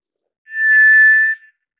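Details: Tiger thrush, or White's thrush: a single clear, flat, pure-toned whistle held for nearly a second. It rises smoothly in volume, ends with a tiny trailing blip, and the surroundings are otherwise silent.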